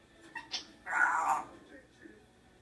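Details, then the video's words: Talking parrot producing a brief speech-like, throaty vocal phrase after a couple of soft clicks, with quiet background. "Talking parrot"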